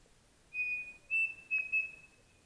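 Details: Pavonine cuckoo (peixe-frito-pavonino) recorded on a foggy morning in the Mato da Capela woods at Bozano, Rio Grande do Sul, Brazil. Pure whistled notes hold one level pitch: a long note, then three shorter ones, over a quiet background.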